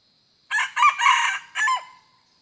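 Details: Crow of a red junglefowl on 2 November 2021, while wild junglefowl are being lured with a decoy: four raspy segments, two short opening notes, a long held middle and a falling end note, all on a silent background.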